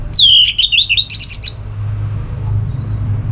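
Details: Orange-headed thrush (anis merah) ngeplong song for rousing another bird to sing: a high downslurred whistle leading into a tumbling string of clipped notes, then quiet hum.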